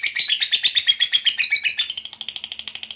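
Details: Fighter lovebird giving a long ngekek chattering call, used to lure other lovebirds into chattering: a rapid, high, scratchy chatter of about eight notes a second that ends in a string of sharper, clipped ticks.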